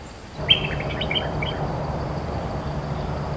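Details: A cream-vented bulbul gives a quick burst of bright, bubbly chirping notes lasting about a second, followed by a steady low rumble of background noise.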